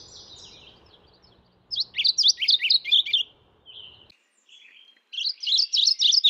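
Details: Mourning warbler calling twice: rolling phrases of rapid, ringing paired notes, each about a second and a half long and separated by a short pause, over soft background rumble that fades midway.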